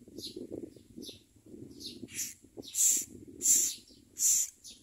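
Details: Common myna nest during feeding of the chicks: faint scratchy notes build into three loud hissing rasps in the second half, set against a low background rumble.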